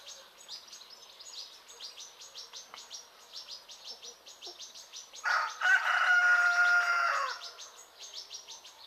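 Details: Morning in rural Greece with roosters, chickens and turkeys: steady high chirping of insects or small birds runs throughout, broken midway by one loud rooster crow, a sustained harmonic call lasting about two seconds before fading.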